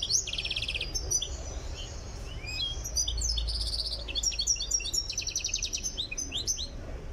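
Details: Tiaret goldfinch in training, not yet at full singing form, keeps up nearly continuous high twittering with sliding whistles and repeated buzzy rattles, set against a steady low rumble.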